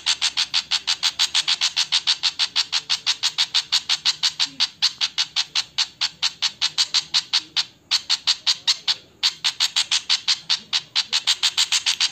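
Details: Alarm call of a Javan flycatcher: a long unbroken run of sharp, dry, rasping ticks, about four to five each second, with two brief pauses near the end.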